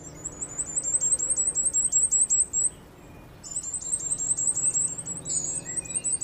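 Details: Common firecrest (Regulus ignicapilla) in Bogor calling with very high, thin notes in rapid runs, two bursts of about three seconds each with a short pause between, over a faint low hum.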